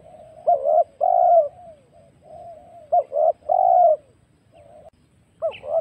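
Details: Wild spotted dove lure recording with fuller, overlapping coos. Short stuttered notes lead into long, rich falling coos, with softer coos between them, possibly from more than one bird, against a quiet background.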